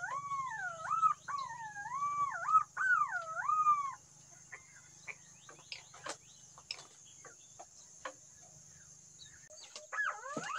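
A green pigeon gives three loud, wavering whistled phrases that rise and fall, then goes quiet amid soft clicks and a steady high insect hiss.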